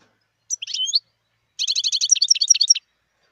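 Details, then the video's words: A wild European goldfinch opens with a few high slurred notes, pauses briefly, then runs into a quick, bright twittering sequence of high chirps lasting just over a second. "صوت الحسون البري"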